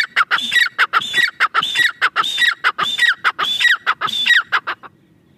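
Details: A grey francolin calls loudly and shrilly in quick, rhythmic, multi-note phrases, each ending in a downward slur, about eight in five seconds.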